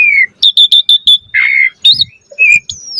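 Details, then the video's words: Asian pied starling chattering while puffing up: a clear whistle, then five quick evenly spaced chirps, a long hoarse buzzy note, and a few short sharp whistles. "Jalak Suren Gacor Mompa Full Variasi Ocehan"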